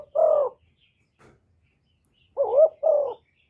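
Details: Kept spotted dove cooing continuously to lure wild doves. A low mellow phrase of three smooth notes: one long coo, a pause, then two quick coos close together, with a brief faint sound between.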